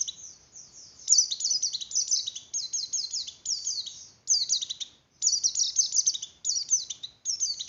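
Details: Javan grey-throated white-eye song for raising breeding condition in other white-eyes, with rapid high twittered phrases of sharp downslurred notes, delivered in bursts separated by short silent gaps.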